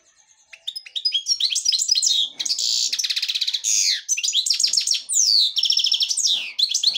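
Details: Black-headed goldfinch in devonash song style. Soft opening notes build into loud, fast tinkling trills, nasal buzzes and repeated downward-sweeping whistles that carry on almost without a break.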